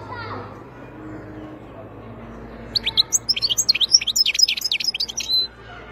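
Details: Wild European goldfinch singing: after about three seconds of quiet background, a fast burst of high, twittering, tinkling notes with rapid jumps in pitch for nearly three seconds.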